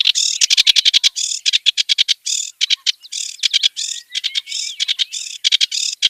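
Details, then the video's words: Wild kerak basi, the clamorous reed warbler, giving a song of sharp, rapid harsh notes in stuttering clusters, separated by brief gaps, with a thin rising whistle partway through. "Varian Ocehan KERAK BASI di ALAM LIAR"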